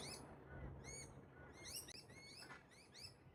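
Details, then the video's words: Pair of wild Galahs, pink Australian cockatoos that mate for life, bonding together up in park trees; quick clusters of looping, overtone-rich whistles alternate with a few longer level notes, delivered in short irregular bursts. "I heard a strange sound at the park... then I saw THIS 😳🦜 (Wild Galah Romance)"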